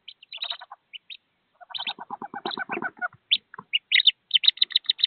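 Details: Wood duck ducklings in a nest box about 15 feet high, about to jump down to their mother and siblings. Scattered high peeps, then a series of fast lower pulsed notes, ending in loud, evenly spaced high peeps.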